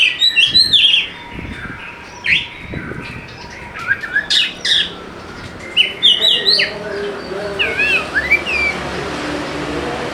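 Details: Oriental magpie-robin (kacer) singing as a lure for lazy birds: varied rapid whistled phrases with sharp upward and downward sweeps and wavering trills, bursts separated by short pauses, over background hiss.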